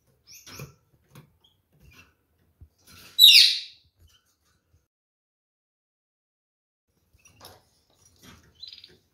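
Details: Canaries, a short loud bright chirp in the middle with a few faint scattered ticks around it and long quiet gaps.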